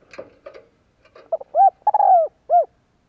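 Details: Spotted dove coo for stimulating males in training. Some brief rustling and scratchy noises come first. Then soft stutters lead into an arched coo, a long falling drawn-out note and one closing rounded coo.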